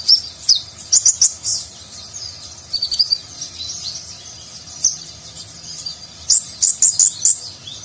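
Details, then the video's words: Ninja sunbird (konin) Nagen-style song with lavish filler phrases, recorded as a model for contest songbirds: thin, high-pitched chirps in short clusters, a lull in the middle, then a rapid run of five bright notes near the end. "Konin Gacor Isian Mewah Gaya Nagen, Cocok Untuk Masteran Burung Lomba"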